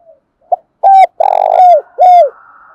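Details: Spotted dove calling hard to attract other doves: a clipped note, then a full phrase of low hooting coos with a longer throbbing middle note and a falling final coo, followed by a faint lingering tone.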